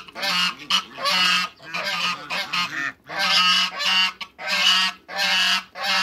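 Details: Two male and one female African geese in a backyard trumpet loud, raspy honks in long repeated phrases, roughly one burst per second with short gaps.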